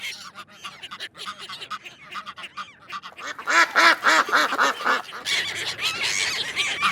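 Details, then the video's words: A flock of ducks quacking: scattered chatter at first, then a run of loud, evenly spaced harsh quacks, followed by a dense burst of overlapping calls. "เสียงเป็ดร้อง ก้าบ ก้าบ Duck Sound (Quack Quack)"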